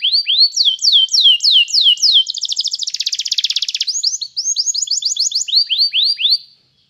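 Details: Canary singing for training another canary: rising and falling whistled sweeps, then a dense rapid buzzing trill, followed by more quick swooping notes before it stops abruptly.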